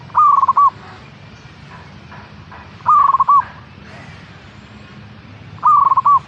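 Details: Local zebra dove (perkutut) giving three bursts of soft, rapid cooing notes about every two and a half seconds, each a quick stuttering phrase, over a low background hum; used as a lure call to prompt other doves to sing.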